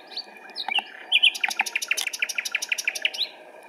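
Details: Common nightingale singing on 26 April 2017 at RSPB Pulborough Brooks: a few sweeping whistles, then a fast, loud series of sharp, evenly repeated notes, about ten per second, ending in a rising whistle.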